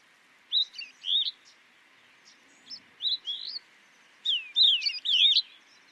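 Streaked rosefinch giving short bursts of bright, slurred whistles and chirps, rising and falling, in groups about a second apart; the background is quiet.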